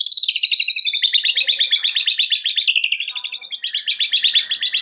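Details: White-rumped shama song meant to provoke a caged bird that stopped singing: continuous fast chattering trill, dense high notes repeated around three per second in a rolling stream without pause.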